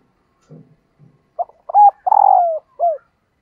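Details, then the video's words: Female spotted dove calling to stimulate males: after faint low notes, a short hoot, a hooked note, a long buzzy note sliding downward, then a short falling coo, all mid-pitched and clean. "Tiếng Chim Cu Mái Kích Trống Mới Nhất 2022"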